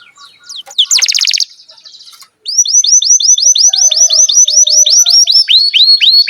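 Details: Canary song used as a training model for young and silent canaries: a short harsh chattering burst, a pause, then a long rapid series of high, sharply downswept whistled notes repeated about three times per second.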